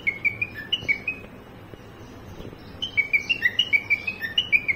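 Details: A cockatiel copying a car horn gives a short burst of stepped whistles, falls silent for about a second and a half, then resumes with a longer rapid sequence of alternating high and low whistled notes.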